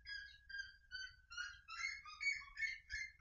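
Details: Red-legged seriema song: loud harmonic yelping notes repeated in quick succession, rising in pitch and intensity, in a clean recording with no other clear sounds.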